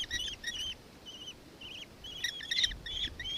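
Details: Nankeen kestrel, Victoria, Australia, 4 December 2024: a few sharp high notes, then short trilled, wavering calls spaced apart, and a renewed burst of shrill notes toward the end.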